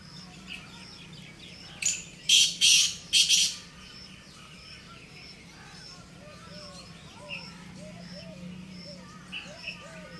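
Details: Black francolin in jungle giving a burst of four loud rasping grating notes, followed by quieter scattered chirps and soft curved whistles from other birds over a constant low hum.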